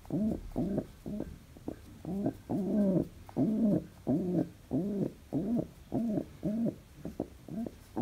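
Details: Indoor pet pigeon in a happy mood, producing a steady run of about a dozen short, throaty coos with a slightly rising then falling pitch, close together.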